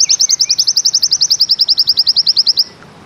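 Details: High-pitched zipper trill from a Bustomi white-eye: evenly spaced sharp chips, roughly eight to nine per second, running steadily for about two and a half seconds before stopping abruptly.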